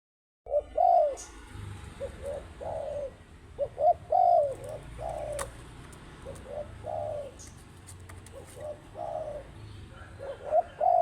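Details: Spotted dove cooing steadily in the open, low hollow coos grouped into short repeated phrases over about ten seconds, with faint rural background noise and an occasional high chirp from other birds.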